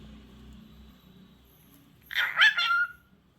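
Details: Pet cockatiel talking indoors, imitating a person asking "how are you": a short burst of about a second of raspy, whistled syllables with sweeping pitch. It comes after a quiet stretch with low room hum and a person chatting to the bird.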